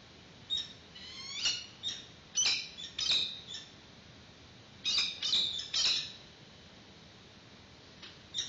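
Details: Peregrine falcons at a nest, seen on a live webcam in 2019, as the adult female brings a yellow bird for the chick's first feeding. Sharp, high chirping squawks come in clustered bursts with short pauses between groups.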